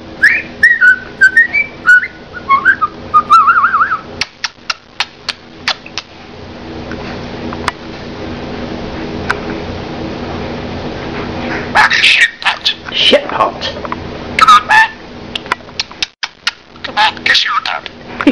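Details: A pet male budgerigar chatters in fast warbling whistles and raspy syllables, mimicking real human words and phrases.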